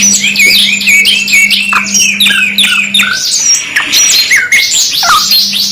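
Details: Canary singing in a two-in-one training mix: fast repeated whistled notes in rolling series, with sharp downslurs and high chirps throughout, over a constant low hum.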